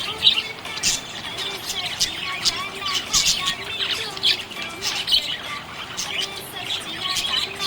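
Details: Happy budgerigar chirping: dense, busy chatter of short high chirps, squawks and warbled notes, overlapping almost without pause, with brief louder bursts near the start and middle and faint steady low tones underneath.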